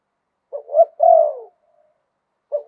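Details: Single phrase of spotted dove song, 'liu tan' style in a wild voice: a brief low hoot, a rising note, then a long, rough, gently falling coo, with another phrase starting at the close.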